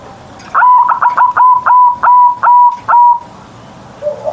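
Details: Kept zebra dove (perkutut) singing loudly in the morning in the big-voiced ngerot style. A rapid phrase of about eight short, stuttered coos holds a steady mid pitch and ends in a longer drawn note, then quiet.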